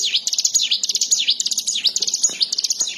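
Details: Ciblek sawah, the bar-winged prinia, in full gacor song: quick, high, thin notes that swoop down and up in repeated V-shaped phrases, delivered in a tight chattering rhythm.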